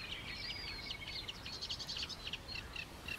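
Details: Black-winged stilt (Himantopus himantopus) at Mutěnice, Czech Republic, giving a quick series of sharp, clipped, high yelping notes, some overlapping, over faint background hiss.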